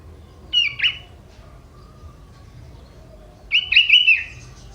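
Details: Young wild sooty-headed bulbul from the forest, its song said to include prinia imitations: two short bright warbled phrases, the second longer and bubbling, separated by quiet background hiss.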